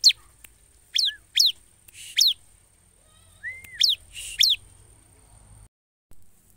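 A bar-winged prinia sings sharp, high, steeply falling notes, mostly in quick pairs, with one short rising-falling whistle between them over a faint steady high whine.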